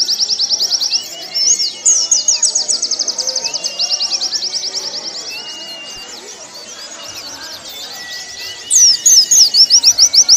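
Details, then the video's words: Warbling white-eye singing for caged-bird training: rapid trilled series of high sharp notes, a quieter twittering middle stretch, then a loud fast burst at the end, faint long whistles of other birds beneath. "Masteran pleci paling ampuh"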